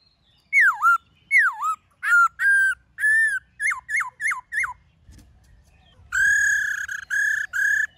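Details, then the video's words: Black-throated laughingthrush singing in the wild-style, many-voiced manner for training caged birds: swooping down-up whistles, level notes, a quick run of short dipping whistles, then loud sustained whistles. "Khướu Hót giọng rừng NHIỀU GIỌNG"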